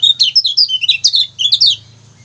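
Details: Lemon-bellied white-eye (kecial kuning) song used as a training recording for other songbirds: a quick burst of high, sweet chirping notes sliding up and down, stopping after about one and a half seconds.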